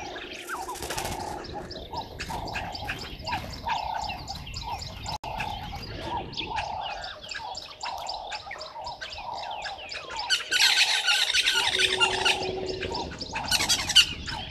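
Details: Red-billed buffalo weavers gather nesting material at dawn, 05:30 on 11 August 2023, at Gowrie dam waterhole, Djuma Game Reserve, Sabi Sand, South Africa. Dense, fast chattering and chirping runs throughout, over a steady series of lower, evenly spaced hooting notes.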